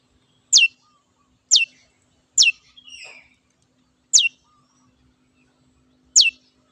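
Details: Cendet, the long-tailed shrike, singing in lively form: five sharp, high notes, each falling quickly in pitch, spaced unevenly about a second apart, with a soft buzzy flutter after the third note.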